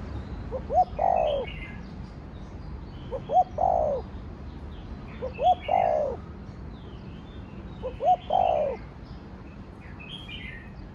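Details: Four even phrases from a spotted dove in 'thổ đồng' style, a coo played to rouse other doves, spaced about two and a half seconds: faint pips, a sharp upturned note, then a long hoarse dropping coo, with distant twittering.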